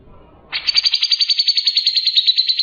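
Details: Grey-cheeked bulbul in active song, used as tutor song for other birds: after a quiet start, a sudden bright trill of rapid, evenly spaced pulses that continues steadily.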